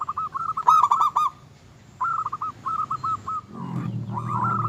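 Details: Singing local zebra dove, meant to provoke rivals into excitement, delivering a quick trilled coo burst, then a string of clipped cooing notes, with a low rumble rising near the end.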